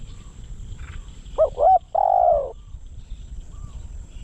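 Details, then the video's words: Spotted dove used as a decoy bird for luring wild doves: a single phrase of two short, bouncing coos followed by a longer mellow croo, with quiet background hiss. "เสียงนกเขาใหญ่ นกต่อ"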